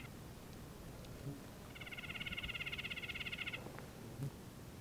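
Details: A pair of Red-breasted Nuthatches trilling near their cavity nest in spring conifer forest at Peavy Arboretum and McDonald Forest, Coast Range foothills; a rapid, even nasal trill lasting about two seconds, with faint low rumble in the background.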